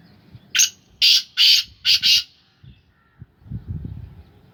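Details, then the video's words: A captive black francolin, a long-tailed, tall Sindhi Gangas bloodline male, gives a harsh, grating call of five rasping notes, one then two paired couplets, over about two seconds; low rumbling noise follows. "Kala teetar ki awaz / black francolin voice کالا تیتر کی آواز"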